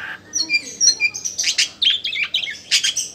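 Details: Oriental magpie-robin, a kept bird, singing loudly: a few thin whistled notes, then dense bursts of harsh, buzzy chatter and sharp chirps in quick succession, strong and high-pitched throughout.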